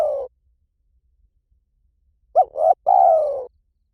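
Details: Spotted dove calling in the 'liu tan' style, used to lure and train a dove to answer. The tail of one phrase is followed after silence by a full three-part phrase: a brief note, a swelling coo, and a long descending coo.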